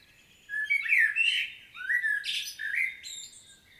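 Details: Blackbird song recorded 25.09.2022 in Świnoujście, Poland: two quick phrases, each a rich, fluty warble dropping into chattering, squeaky high notes, the second ending in a thin, buzzy trill.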